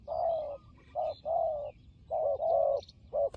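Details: Fighting turtle dove cooing in low, hollow, slightly buzzy phrases, several coos of varying length with short pauses between them; faint high chirps from other birds in the background.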